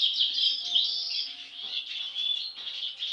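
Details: European goldfinches, captive sibling birds, giving a dense, continuous high twitter of rapid tinkling and buzzy notes with brief pure whistles, unbroken across the whole stretch; faint low steady hum underneath.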